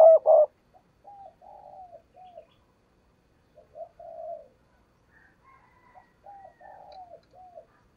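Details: Decoy spotted dove giving lure coos for trapping wild doves: a loud double coo opens, then series of short hooked coos and longer level notes in loose groups with quiet gaps.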